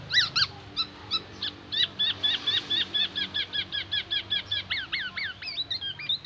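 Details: Black-naped oriole delivering magpie-robin-style imitations: a steady, evenly spaced series of short clear whistled notes, repeated about four per second, ending in a few longer rising and looping whistles.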